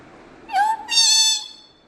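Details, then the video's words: Kerala pet parrot talking Malayalam: two voice-like syllables in quick succession, the first a bending tone and the second a sustained, buzzy, harmonic-rich note, clear and close. "parrot Talking"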